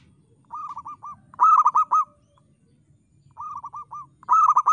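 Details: Zebra dove of a local strain in full, frequent song with a crystal-clear tone: quieter bursts of quick warbling coos answered by louder, brighter five-note phrases, the pattern heard twice, with a soft low rumble behind.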